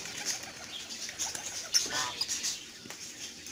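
Soft, high, scratchy chirps and chatter from a lovebird, with a few sharper squeaks over a steady hiss.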